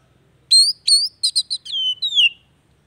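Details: Oriental magpie-robin phrase meant to stimulate a non-singing bird: two upslurred whistles, a quick stuttered cluster of notes, then two longer descending whistles.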